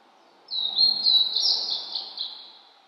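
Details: Blue-and-white flycatcher singing among fresh spring greenery in the mountains, cloudy and 14°C after rain; a loud, rich, high warbled phrase of linked whistles lasting about two seconds, then fading.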